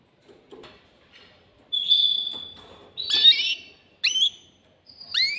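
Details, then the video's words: Excited caged male canary singing to stimulate a female for mating: sparse phrases with a long steady high whistle, then sharp downward-slurred notes separated by short pauses. "تغريد ذكر كناري هائج يريد تكسير القفص يحفز الأنثي لتزاوج"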